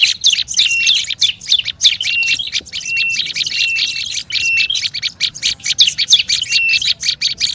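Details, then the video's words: Olive-backed tailorbird calling noisily, recorded as a lure: rapid, overlapping high chip notes throughout, repeatedly interspersed with short level whistled notes. "SUARA PIKAT BURUNG PRENJAK LUMUT RIBUT"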